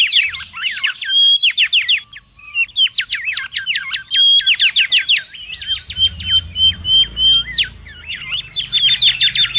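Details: Mangrove whistler singing at full pace in the wild: almost continuous chattering of short rising and falling whistled strokes, with occasional clear level whistles and a low background hum.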